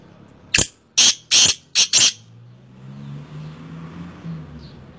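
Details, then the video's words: A black francolin calls once with a rasping phrase of five broadband notes, the first short, then two longer grating ones and a quick final pair, before a low hum and quiet background. "kala teetar ki boli"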